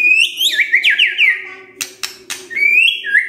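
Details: Morning white-rumped shama song used as a lure to set silent shamas singing: loud bright whistled notes with quick downward slurs, then crisp clicks and a rising whistle, steady low hum behind.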